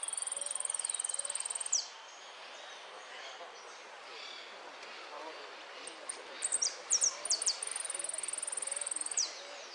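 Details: A contest hooded siskin sings at the winners' final held in Merlo, Argentina, 13 January 2013. Long, high, fast trills open and close the passage. Between them come a few sharp, falling notes, with steady background hiss.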